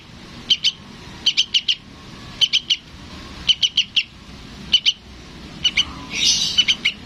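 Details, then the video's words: Sooty-headed bulbul fledgling calling its parent: sparse pairs and triplets of sharp high chirps, with a short noisy burst near the end. "SUARA BURUNG TRUCUKAN ANAKAN MEMANGGIL INDUKNYA"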